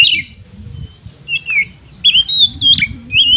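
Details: Oriental magpie-robin in ngeplong style, used as a lure to agitate rival magpie-robins; sparse short whistles and a few upslurred notes, separated by gaps, with low rumbling noise beneath.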